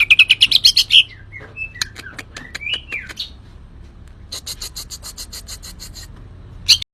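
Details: Greater green leafbird (cucak ijo) singing actively: a fast burst of sharp, high chirps opens, then slurred whistled notes rising and falling, another run of rapid bright chirps, and one last loud note at the end.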